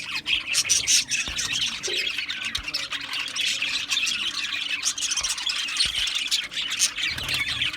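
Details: Aviary colony of Australian budgies keeping up a steady bright chatter of chirps and squeaky notes, layered thickly with no silent gaps through the whole stretch.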